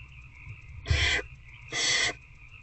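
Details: Inside an owl box around 9 pm on 19 February 2024, an adult barn owl feeds an older owlet: two strong, scratchy hisses some 0.8 seconds apart, under a constant low electrical drone.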